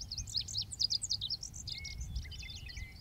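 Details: Male lazuli bunting song: a rapid, dense string of high, varied sweet syllables running continuously for three seconds, with a few lower thin whistled notes near the end over low rumbling background noise.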